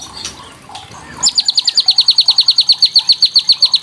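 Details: Kretekan song of a white-rumped shama, used to provoke young birds into answering. After a second of soft background chatter, a rapid string of sharp, high, downslurred notes repeats about six times per second without a break.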